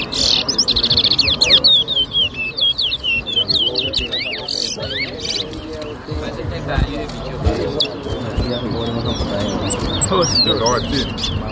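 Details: Chestnut-bellied seed finch (towa towa) singing in a whistling competition at Rosehall, Guyana, 2023: rapid high whistled notes and trills repeated over a steady background of human chatter and crowd noise.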